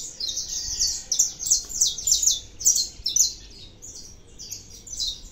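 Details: Singing saffron finch: strong bursts of sharp, high chirped notes in quick clusters, easing into softer chirps near the end, with little other sound.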